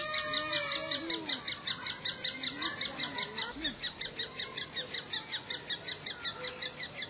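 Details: Woodpecker recorded in 2007: rapid, regular series of sharp high chirps, about two to three per second, with faint lower whistled notes early on.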